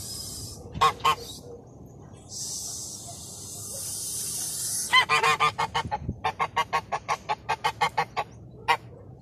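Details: Goose calling from a paddy field in Taitung, Taiwan: two early honks, then a long excited series of short nasal honks, fast at first and slowing toward the end, over a low background rumble and a passing hiss.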